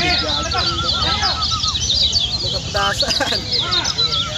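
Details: Lemon-bellied white-eyes from Lombok in a gonsrengan contest chorus used as a lure to make the bird sing: dense, high twittering chatter runs throughout, layered with lower slurred whistles from other birds.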